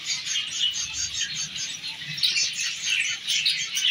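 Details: A captive pair of half orange zebra finches, male and female, chatter in a steady stream of high, nasal chirps and tweets.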